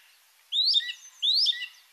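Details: Song Thrush singing a shrill, strident fluty phrase, repeated twice in succession, each a rising whistle followed by a short lower note, with clear pauses between.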